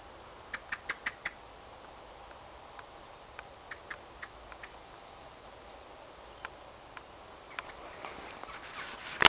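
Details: A common blackbird in a wood at Carbrooke calls to other birds with sharp, dry ticking calls: a quick run of five near the start, then single chinks spaced irregularly over a quiet background.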